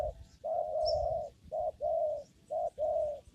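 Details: Spotted dove calling in a papaya garden during lure trapping: low hollow coos in phrases of short and drawn-out notes, roughly one per second, with faint high chirps of small birds behind.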